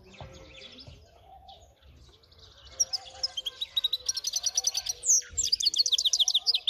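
Brambling and canary hybrid singing: a high, twittering song that builds into rapid, bright trills of repeated notes, over a low background hum.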